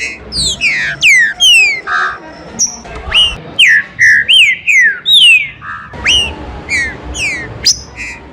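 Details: Green-winged saltator singing in the rain as song warm-up and stimulation: loud, clear whistled phrases, sharply descending slurred notes and short rising whistles in quick series, with faint background noise.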